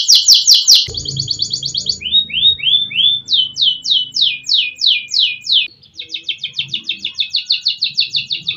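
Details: Adult F2 canary, a frequent winner of hanging-cage bird contests, singing nonstop in 'gacor' style, recorded on an ordinary phone: high fast trills, then short down-slurred repeated notes, a rising rolled series, and a steady rapid trill, with faint low hum.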